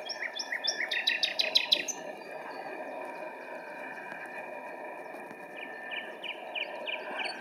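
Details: Common nightingale singing on 26 April 2017 at RSPB Pulborough Brooks: a loud burst of rapid, rich repeated notes for two seconds, a quieter pause, then a series of rising whistled notes repeated about every half second.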